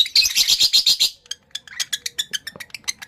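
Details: Male lovebird in breeding condition, kept as a pet, giving loud, shrill, rapid chattering: a dense buzzy burst for about a second, then quick sharp chips repeated several times per second.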